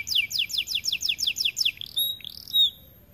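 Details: White AF canary singing: eight or so loud descending whistled notes in steady rhythm, followed by short level whistles and a brief flourish.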